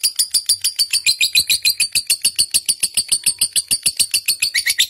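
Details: Fighter-type caged lovebird singing to stir pet birds into song: rapid, evenly spaced scratchy chirps repeated several times a second without pause, high-pitched and loud, in a quiet indoor setting.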